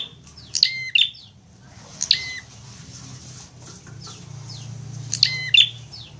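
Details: Prinia in a fighting mood, sound used as masteran training for songbirds: a few loud, harsh chattering bursts with ringing upper overtones, spaced by pauses, over a faint low hum.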